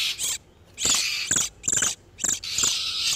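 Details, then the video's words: Breeding-condition oriental magpie-robins, male and female, used to lure wild birds: four loud, hoarse rasping bursts separated by short pauses. "SUARA PIKAT BURUNG KACER TERBARU/SUARA KACER BIRAHI"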